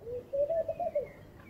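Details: Laughing dove cooing in the morning: a soft, low, bubbling run of about five quick coos that rise slightly and then fall away, over a faint hum of background noise.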